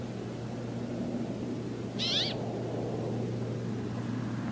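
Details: Brambling calling its mates: a single harsh, nasal, wheezy note, slightly wavering, over a steady loud low hum and broad background noise.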